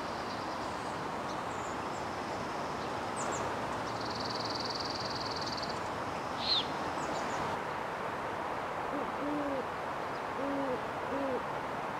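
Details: Great horned owls raising owlets on a hilltop grove above Stow Lake, Golden Gate Park, San Francisco, spring–summer evenings at dusk: deep soft hoots in a short run near the end over wind or traffic hiss; earlier a thin buzzy note and brief chirp.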